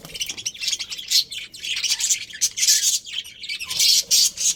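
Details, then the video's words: Lively chirping from a budgerigar breeding pair: loud, dense, high chirps and warbles in rapid irregular bursts, with brief pauses between groups. "Cute Budgies Chirping Sounds"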